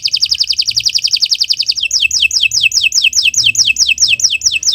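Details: Canary song used as a tutor recording for training other birds, long continuous singing. A fast buzzy trill of rapid repeated notes opens, then shifts to slower rising-and-falling whistled notes, about five per second, all high-pitched.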